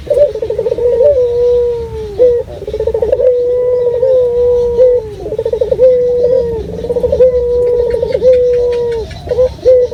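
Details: Active local dove with a clear natural call, used as a lure: continuous run of phrases, bubbling trills alternating with long even coos every two seconds or so.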